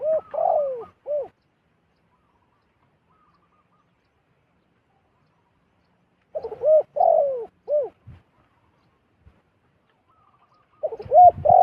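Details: Zebra dove in the wild approaching a decoy, repeating its cooing phrase three times roughly every five to six seconds: short stuttered notes, a rolling trill and a clipped rising-falling end note.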